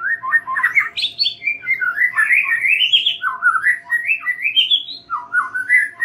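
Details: White-rumped shama, song played to coax young and wild-caught birds into singing freely: a continuous, loud stream of melodious whistles climbing and dropping in pitch, with quick warbled ornaments between phrases.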